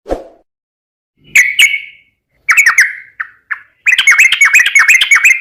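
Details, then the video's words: Yellow-vented bulbul (trucukan) singing briskly in a lure recording: a soft low thump, then two bright slurred notes, two quick chirps and a rapid bubbly chattering phrase at the end. "Burung TRUCUKAN GACOR"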